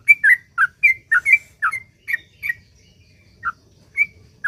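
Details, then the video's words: Sooty-headed bulbul delivering 'ropel panjang' song as a lure for other bulbuls: a fast cluster of chirpy whistled notes that slows into single, spaced notes about every half second. "suara trucuk gacor ROPEL PANJANG ampuh buat pancingan trucuk agar bunyi"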